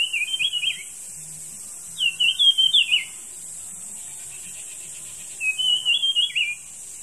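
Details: Wild jungle flycatcher singing: three short warbled whistled phrases of quick rising and falling notes, each about a second long and separated by pauses, over a steady high insect-like hiss.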